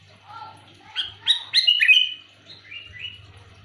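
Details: Sooty-headed bulbul, loud luring call: soft lower notes lead into a bright, bubbly burst of chirps ending in a drawn-out whistle, followed by two fainter rising chirps; faint hum behind.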